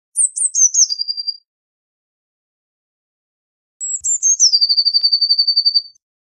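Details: Blue tit song of two phrases: high thin notes stepping downward into a level trill, the second phrase stretched into a long, even run of rapid repeated notes, no other sounds.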